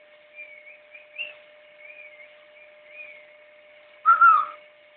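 Blue-and-yellow macaw giving soft, wavering whistled notes that rise and fall for several seconds, then a sudden loud, harsh squawk. A steady faint hum runs underneath.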